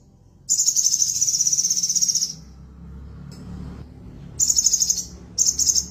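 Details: Tailless crested jay in a cage, singing a long, rapid, high-pitched rattling trill of about two seconds, a quiet pause, then two shorter bursts of the same buzzy trill.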